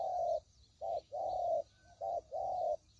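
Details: Spotted dove call played as a trapping lure: five clean, low cooing notes, short and longer ones alternating with half-second gaps, smooth and even in tone, over a light background hiss.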